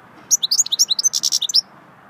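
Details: Goldfinch singing a swittey-style song: a rapid 1.3-second burst of high, bright twittering and tinkling notes, some clipped and some short rising whistles, with a soft low background hum.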